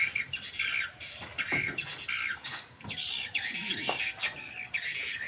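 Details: Edible-nest swiftlets in a swiftlet house in Banyuwangi, East Java, making harsh, squawky chirps and rasping twitters in irregular bursts, with a couple of sharper clicks and a faint hum.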